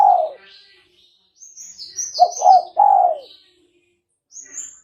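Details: Spotted dove call used as a lure for trapping: low, soft coos, a brief hooted phrase at the start and then a three-note phrase of two quick rising notes and a longer falling coo. Thin high chirps sound between them.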